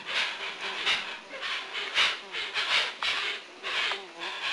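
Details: Hoatzins, known locally as shansho, recorded at Lago Sandoval in 1999, giving a series of breathy, sawing hisses and rasps in uneven bursts roughly every half second, with faint tonal squeaks in between.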